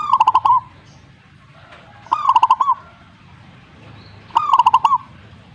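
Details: Repeated zebra dove song: three phrases about every two seconds, each a fast, bouncing string of hollow cooing notes, the first note higher and longer, with a quiet background.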